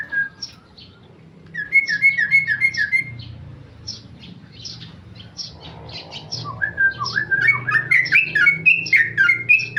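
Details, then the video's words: Ropel song from a tame male Sooty-headed bulbul: a quick run of whistled notes, then sharp chirps, building into rapid rising whistled phrases toward the end. "Trucuk jinak ropel"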